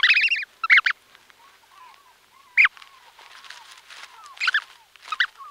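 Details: Brant goose goslings calling from within their eggs, close up: loud stacked peeping chirps at the start and near 2.6 s, softer peeps later, and many faint short downslurred whistles beneath, plus quiet rustling movement.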